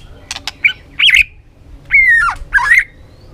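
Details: White-rumped shama song used for training in many forest voices: a few loud, separated phrases that mix rich, slurred whistles with harsher, buzzy notes, with short pauses between them.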